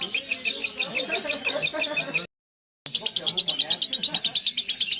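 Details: Lovebird giving a long ngekek song: a fast, steady string of high, scratchy chattering notes about six per second, briefly cut by a half-second gap, over a soft murmur of low background sounds.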